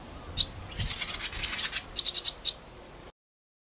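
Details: Barn swallows at the nest in spring, the female laying her second egg of the second brood while a fledgling sits in the nest; a rapid series of high, scratchy twittering notes packed closely together, then stopping.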